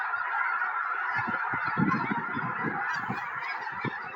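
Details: Migrating snow geese settling by the hundreds into a Tennessee field just before a major winter storm; a roaring chorus of overlapping honks, with bursts of low rumbling thuds in the middle seconds.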